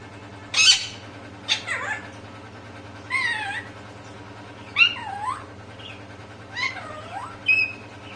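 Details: Parrot vocalizing in short bursts: a sharp high squawk, then several curving, warbling voice-like sounds spaced about every one and a half seconds, over a steady low hum.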